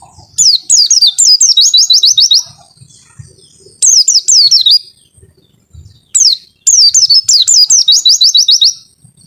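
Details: White-eye repeating a long 'wit-witttt' phrase three times: a few spaced high whistles speeding into a fast trill of falling notes, with quiet gaps between phrases.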